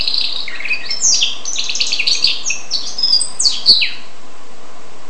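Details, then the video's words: Canary and goldfinch hybrid song, a rapid string of bright twittering notes and trills ending in a couple of falling sweeps, then quiet. "carduelis carduelis x canaria"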